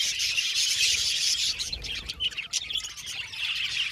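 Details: Many budgerigars chatter in an aviary colony, rapid high chirps and squeaky warbles layered into a dense chorus, with a few sharper notes standing out in the second half.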